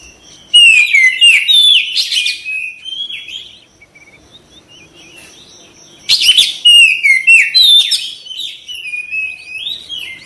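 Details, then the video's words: Caged white-rumped shama in full song: loud bursts of varied whistles, sharp chips and harsh notes, then a lull of soft twitters before a second loud stretch of stepped, descending whistles. "KACER CEPAT RESPON GACOR"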